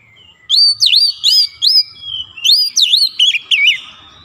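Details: Oriental magpie-robin singing a lure meant to rile up other magpie-robins: crisp, high, swooping whistled notes in a rapid run, with a burst of chattering, trilled phrases before it fades.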